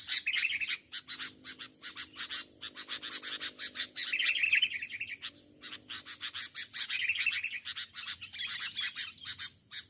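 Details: Fierce wild male Sooty-headed Bulbul battling a decoy on a branch in overgrown rubber-plantation scrub: long stretches of rapid, scratchy, bubbling chatter with a few brief lulls, over a faint insect hum.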